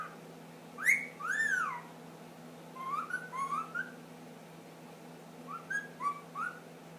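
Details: A 10-month-old pet ring-necked parakeet, male, whistles a mimicked tune, the start of the Addams Family song: two long arched notes, then two quick runs of short rising whistles, over a low steady hum.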